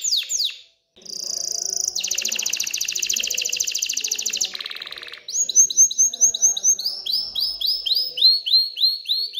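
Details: Aroused canary song aimed at prompting females to breed and nest: a long rapid buzzing trill, then a string of bright downslurred whistles repeated about twice a second.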